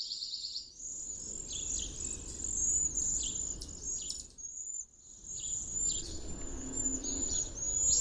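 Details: Cedar waxwings, a late spring arrival often seen along a river in groups hunkered in a tree, sing to one another: thin, very high, hissing trills and lisping notes overlapping almost continuously, over a low background rumble.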